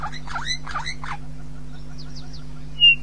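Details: Red-billed hornbill at Djuma, calling during display and grooming: three quick dipping, clucking notes in the first second, then a quiet stretch with faint high chirps from other birds and a steady low hum.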